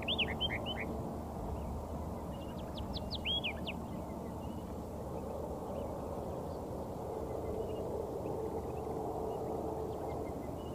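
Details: Layard's warblers, a pair feeding together in dry Karoo bushland near Hanover, Northern Cape, exchange soft songs: a cluster of whistled downslurred notes at the start, a second burst of thin rapid notes a few seconds later, then mostly low rumbling background.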